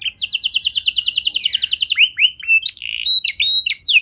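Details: Canary song played to get other canaries singing: a rapid rattling trill lasting about two seconds, followed by varied slurred whistles and short chirps.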